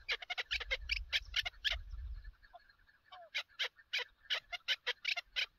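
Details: Chukar partridge in a hunting context: quick clusters of sharp, high chattering notes, a short pause with a low rumble, then spaced chuck notes resuming.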